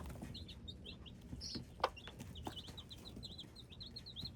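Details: Chicks of a hybrid chicken cross peeping: a rapid run of thin, high, slurred cheeps that becomes a near-continuous string, with one loud click in the middle.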